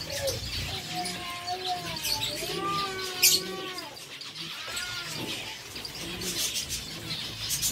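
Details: Several captive zebra finches, eating seeds in a Sargodha breeding setup, trade overlapping nasal, trumpet-like calls with rich overtones, some arched, some flat, amid continual scratchy crackling from feeding.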